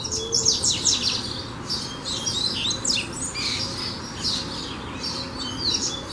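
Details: Double-collared seedeater, called coleiro, in song: rapid runs of high, sharp chirps and downslurred whistles that come in bunched bursts, with faint background noise.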